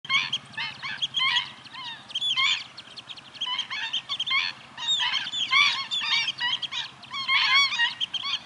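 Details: Several stilts calling together: dense, overlapping sharp yapping notes with bending, slurred tones, delivered in bursts of about a second separated by brief quieter gaps, with a faint low hum beneath.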